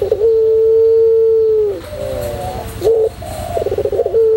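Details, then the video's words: White puter pelung dove singing a training song: a long drawn low coo lasting over a second, then quavering bent notes and chattering trilled bursts, ending on another sustained coo, with a low hum beneath. "masteran puter pelung putih manggung"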